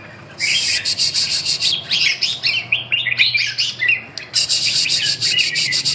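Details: Red-whiskered bulbul, fourth-prize winner of a Hai Phong singing contest, in an exchange session: rapid chirpy warbling with repeated rising notes, and loud, high buzzy pulses at the start and end.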